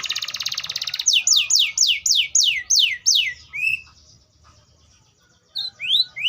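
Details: Atlantic canary opening with a dense buzzy rattle, then about seven loud downward-sweeping notes in steady rhythm, a quiet pause, and two rising slurs at the close.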